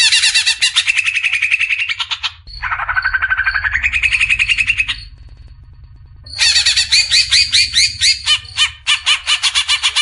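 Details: Cucak ijo, greater green leafbird, in masteran besetan: rapid buzzy trills, then a lower sliding warbled run rising in pitch, a brief low-noise gap, and finally dense, fast chattering strings of sharp notes.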